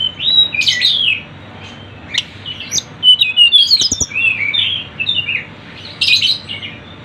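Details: Sunda bush warbler, crowded birdsong used to lure birds: loud chattering bursts alternating with quick jumbled chirps and slurred whistles, a brief lull, then another strong burst.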